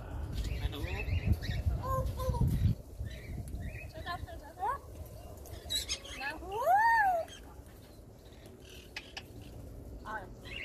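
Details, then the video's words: Pet African grey parrot talking non-stop: low speech-like mumbling, short squeaks, then a loud arched whistle rising and falling, followed by quieter clicks and soft chatter. "My talking african grey"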